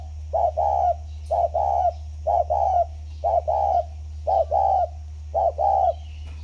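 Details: Spotted dove kept for ten years, recorded at Ba Vì, Vietnam, on 29 October 2020: low soft cooing phrases, each a short note followed by a longer one, repeated about once a second over a steady low hum.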